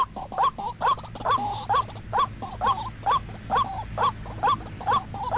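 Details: White-breasted waterhen lure call for trapping: clipped nasal notes that rise at the end, repeated briskly about twice a second, with fainter overlapping notes between them and low background noise.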